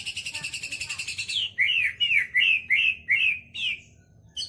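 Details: Song of a white-rumped shama filled with kapas tembak and lovebird phrases: a long rapid buzzy trill running into a string of six looping whistled notes, then a pause and a brief restart.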